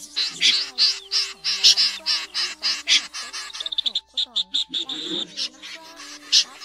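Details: Common snipe flock calls used as a lure for night net-trapping of migrating birds in August 2024: harsh, rasping high calls in quick, uneven bursts, several overlapping, with lower tonal notes from other birds beneath.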